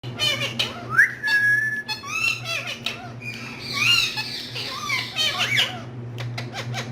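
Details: Green parrots kept as pets, indoors: a rising whistle that levels into a long flat note, then a run of harsh, ragged squawks and chattering calls, over a steady low electrical hum.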